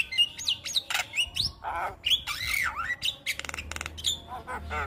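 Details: Javan myna singing as master audio for young birds: wild, swooping whistles and harsh squawks, a long wavering slurred note in the middle, and a burst of fast buzzy rattles.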